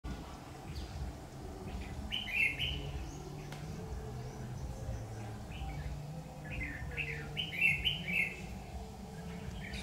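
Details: Decoy red-whiskered bulbul singing during a bird-trapping session to lure wild birds, recorded 7 August 2019; two short bursts of bright, warbled notes around two seconds apart from a later pair, over steady low rumbling background noise.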